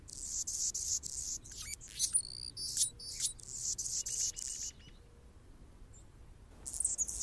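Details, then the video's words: Anna's hummingbird perched on a branch, Golden Gate Park, San Francisco, California, giving high, grating, rhythmic buzzes mixed with sharp squeaks and a quick ticking series, then a quiet gap before another squeaky burst. "Anna's Hummingbird (Colibri) singing on a branch"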